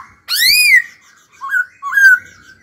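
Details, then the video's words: Laughingthrush singing in training: one loud, harsh, arching call, followed by two softer rising whistled notes about half a second apart. "Khướu hót cực hay, kích bổi hót ngay"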